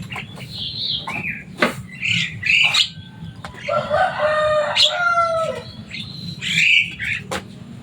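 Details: Kept Javan myna, a loud, noisy bird said to copy human speech, producing a varied run of harsh rasps, clicks and gurgling whistled notes with short pauses, against a steady low hum.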